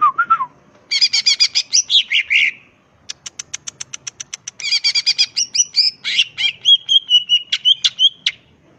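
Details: Crest-raised greater green leafbird singing constantly in ngentrok style, full of filler phrases: harsh buzzy rattling bursts, a series of sharp clicks, then wavering high whistles and scratchy notes.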